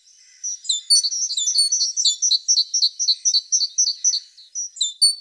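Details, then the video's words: Tit singing a fast, rhythmic run of bright, high chirps, closely spaced and evenly repeated, starting softly and then holding a lively pace. "The sound of a tit singing"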